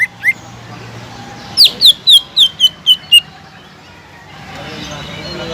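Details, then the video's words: Greater green leafbird singing loudly, played to stir a silent caged bird into song: a short rising note, then six quick whistled notes stepping down in pitch, followed by hiss. "PANCINGAN CUCAK IJO GACOR EFEKTIF MENAIKAN EMOSI CUCAK IJO MACET BUNYI"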